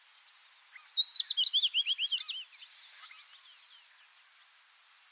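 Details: Willow warbler, a migrant passing through Palestine in September and late spring; one full phrase of clear, gentle whistled notes descending in a fluid cascade over about two seconds, then fading, with the start of another phrase at the end.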